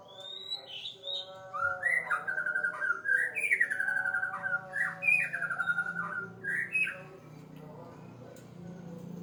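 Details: White-rumped shama singing in the afternoon: a run of clear whistled notes, some rising and some sliding down, given in quick bursts for about seven seconds, then the bird falls quiet over a soft low hum.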